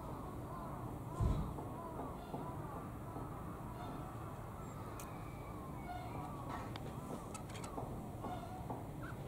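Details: Five call ducks linger before the door of a manager's room, apparently hungry and waiting for food, giving soft nasal quacks in quick succession over a steady low rumble, with a brief thump near the start.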